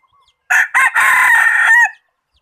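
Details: Decoy rooster used for catching birds, crowing loudly: two short opening notes, then a long, steady, harsh held note that ends with a brief falling tail, against a quiet background.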